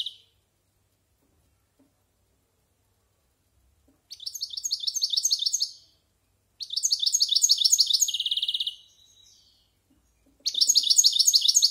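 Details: Varied song of a European goldfinch over a year old, rehearsing in the silvestrismo tradition: three bursts of fast, evenly repeated tinkling twitters about two seconds each, separated by silence, one ending in a buzzy trill.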